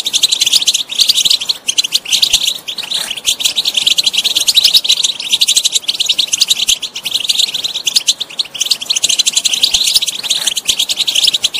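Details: European goldfinch in long, unbroken song, a busy high twitter of rapid tinkling notes, trills and buzzes sustained throughout.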